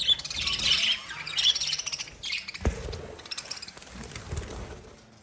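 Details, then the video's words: Lovebirds kept as pets chirping in shrill, fast twittering bursts that are loudest at the start, then thin out into softer scattered squeaks, with one low knock. "Love Birds Sound Relaxation"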